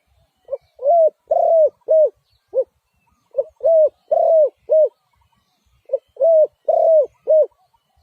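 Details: Spotted dove cooing: three phrases of four or five low, mellow coos, a short lead note, then longer rounded croos, each phrase repeated about every two and a half seconds in a quiet setting.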